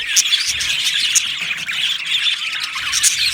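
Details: A colony of Australian budgies in an aviary gives a steady wash of high chirps and chattering warbles, with a few sharper squeaky notes standing out near the start, middle and end.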